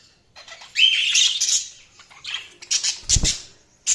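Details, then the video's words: Budgerigars chirping: scratchy warbling chatter and squawky chirps in bursts, with a soft low thump near the end. "Budgies Chirping sound"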